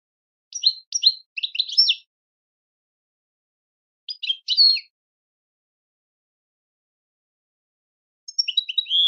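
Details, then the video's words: Goldfinch song arrives in separate bursts: a run of clipped, twittering notes, a shorter phrase a couple of seconds later, then a longer buzzy, warbling passage at the end, with silence between. "Super Song To Teach And Listen To Goldfinches Birds"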